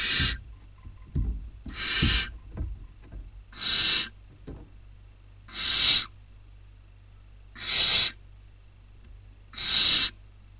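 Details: Young barn owls at a webcam nest in Cabañeros National Park, Toledo/Ciudad Real, Spain, 2019 breeding season, competing for food; six raspy hissing screeches at a steady two-second rhythm, some light scuffling early on.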